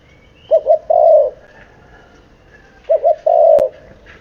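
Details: Low, soft cooing from a seven-month-old spotted dove: two phrases, each two brief coos then a longer held note, separated by a quiet pause; a faint click near the end.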